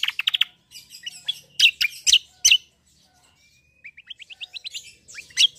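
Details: Cucak kombo, the black-winged myna, singing a rolling 'ngeroll' song in a sparring bout: rapid chips, loud grating bursts, then a thin rising series of short whistled notes before one last harsh note.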